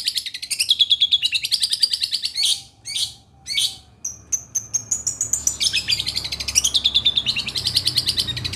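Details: Long-tailed shrike from Situbondo delivering a quick, rattling chatter of high notes, broken by a few loud harsh bursts. Then come thin sustained whistles and another long run of rapid twittering.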